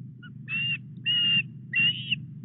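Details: Osprey at the Llyn Clywedog nest in Wales while a headless fish is delivered on 4 August; a faint short note then three strong, level whistled calls, the last one rising, against low background hum.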